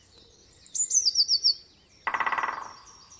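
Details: Robin singing: a run of thin, high, descending whistled notes, then a lower, rapid, rattling trill that fades out, in a quiet outdoor setting.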